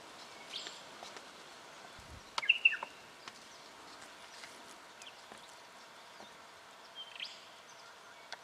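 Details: Striated pardalote (Pardalotus striatus) in Victoria, Australia, October 2011, calling: a quick pair of sharp, high chip notes, with fainter calls before and after, over steady background hiss.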